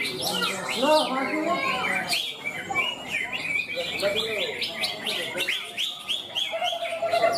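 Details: Greater green leafbird singing at a bird song exhibition and contest in Malinau regency, Ebod class: rapid varied chirps, trills and warbled notes in dense bursts, with human voices and other sounds in the background.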